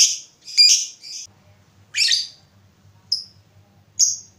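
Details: Lovebird chirping, used as a prompt to stimulate other lovebirds into long trilling song. Harsh, buzzy chirps come in short bursts, the first louder and clustered, then single sharper notes about every second over a faint low hum.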